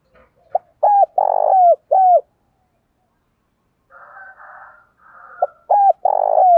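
A spotted dove gives a soft, hollow, low-pitched cooing phrase of four notes, ending on a longer drawn-out coo. It repeats after a pause of about three seconds, with faint background hiss.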